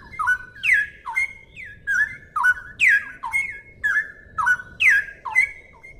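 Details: Clear song of a straw-headed bulbul (cucak rowo): rich fluty whistles that drop in pitch and level off, delivered in a steady run of short phrases roughly twice per second over a faint low background hum.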